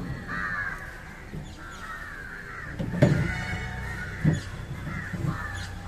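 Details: Indian jungle crow (Corvus culminatus), filmed feeding on fish, giving harsh, drawn-out caws at irregular intervals over a steady low rumble, with a couple of sharp knocks.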